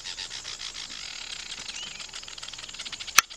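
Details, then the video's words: Nest-building weaver birds give a continuous, high, rasping chatter of rapid scratchy notes, ending in one sharp click. "weaver bird sound n nest building"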